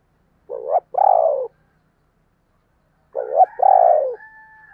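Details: Spotted dove thúc and gáy gọi calling: two loud phrases of a quavering coo plus a long falling coo, the second trailed by a thin steady whistled tone.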